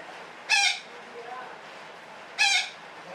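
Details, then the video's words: Parakeet calling in the long chattering style called ngekek panjang; two short, grating, rich squawks spaced about two seconds apart, with faint soft chirps and hiss between them. "SUARA KICAU BURUNG BETET NGEKEK PANJANG"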